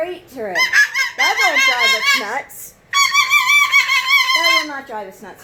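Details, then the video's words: Pet cockatoo indoors, recently taught a whistling trick by its owner: a run of warbling, wavering whistles and squawky notes, then a steady, bright, repeated whistle phrase, with a woman's voice speaking softly between. "Taught Onni Cockatoo The Most Annoying Sound In The World"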